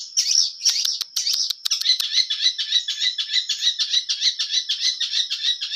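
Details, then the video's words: Long-tailed shrike, clear-voiced and actively singing: opening scratchy phrases and sharp clicks give way to fast, harsh, rasping squawk-like notes repeated about three times a second. "cendet gacor full materi suara jernih"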